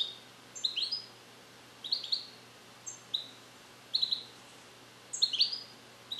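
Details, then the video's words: Male European goldfinch, bred in captivity in 2021 in the USA and trained in Neapolitan song passages not yet complete, sings in a carrier. Short separate bursts of high twittering notes come about once a second, with quiet gaps between. "Cardellino Passata Napoletana 2021 - European Goldfinch - Jilguero cante limpio"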